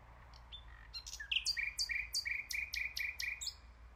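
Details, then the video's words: Singing common nightingale delivering soft opening notes, then a fast rhythmic series of around ten loud repeated notes, each a high sweep dropping to a lower buzzy element; low background rumble. "NIGHTINGALE sounds. So PEACEFUL"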